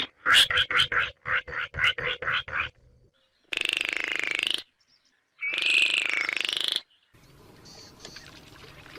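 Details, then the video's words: Baillon's crake calling: a run of sharp, clicking pulses at roughly three per second, then two dry, buzzy rattles, each lasting one to one and a half seconds, separated by short silences, ending in faint hiss. "Baillon's Crake Bird Sound"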